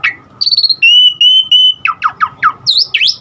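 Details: An Asian pied starling gives a rising chirp, then long steady high whistles, a string of five sharply down-slurred notes and finally high upswept whistles, a varied filler song that sets other starlings singing.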